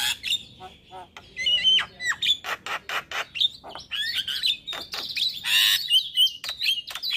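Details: An energetic male Javan myna singing in the morning, with plenty of fill-in material: a busy jumble of clicks, squeaky whistles and grating notes, including a loud harsh rasp near the end.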